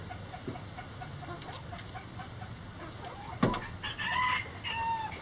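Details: Chickens in a backyard coop: quiet background clucking, a sharp knock, then loud harmonic squawks and drawn-out calls near the end over low hum.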